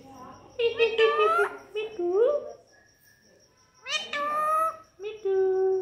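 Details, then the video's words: Pet parrot talking with its owner indoors: harsh, nasal vocal phrases with rising and falling squawky syllables, two bursts separated by a quiet pause. "बोलने वाला तोता, Talking with parrot, Bolne wala tota"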